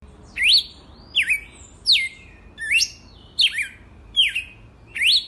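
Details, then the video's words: Loud, ringing whistles from a red-cowled cardinal presented as a legitimate wild bird, seven quick phrases alternating downward swoops and upward slurs, spaced under a second apart, with soft background noise. "Galo de campina SELVAGEM RAIZ"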